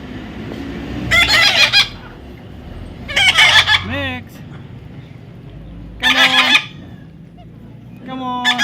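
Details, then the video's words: Baby parrot being tamed gives four harsh, raspy squawks, each about half a second long and spaced roughly two to three seconds apart. Quiet background between the calls. "natural funny parrot sound"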